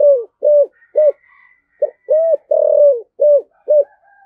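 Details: Calling spotted dove in the 'giọng thổ' cục đinh style. The phrase runs through short arched coos, then a longer drawn-out note, then clipped coos. Soft faint whistles sound above it.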